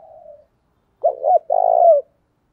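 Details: Decoy spotted dove calling to attract wild doves, Vietnam. A faint trailing note, silence, then one clear phrase of two short rounded notes followed by a long rough coo easing downward.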